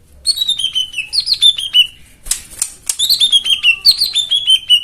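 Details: White-eye singing, intended as therapy for birds that no longer sing: two long cascades of high, rapid, descending whistled notes separated by a brief rustling burst.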